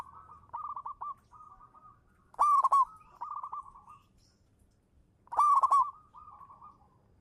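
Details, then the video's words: Local zebra dove used to lure others, giving soft stuttering coos that swell into two loud, harsh-edged climax bursts about three seconds apart. "suara burung perkutut lokal manggung juara pancingan"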